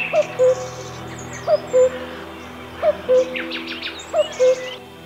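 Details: Common Cuckoo in Auvergne, France, May 2019, gives its famous mellow two-note 'cu-coo', the second note lower, four times at about 1.5-second intervals, with faint high twittering from other birds.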